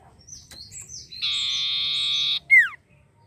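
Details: Long-tailed shrike singing actively, used as a lure to provoke other birds: soft short whistles, then a loud sustained harsh buzzy note lasting over a second, ending in a sharp downward-sliding whistle.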